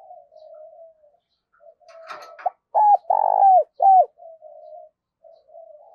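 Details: Decoy spotted dove cooing to lure wild doves: soft, low, even humming notes, then three loud hooked coos in quick succession mid-clip, before quieter murmured notes return. A brief rattling click is heard just before the loud coos.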